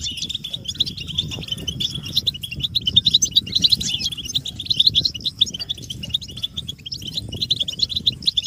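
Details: Excited European goldfinches calling en masse, mating and readiness calls for stimulating captive males; steady stream of high, crackling twitters and trills above a constant low rumble.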